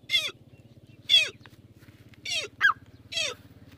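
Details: Francolin, a male calling with a female, described as a new Irani and Dakni mix. Four loud, harsh calls come about a second apart. Each ends in a downward-sliding note, and a short sharp extra note comes near the end, all over a steady low mechanical hum.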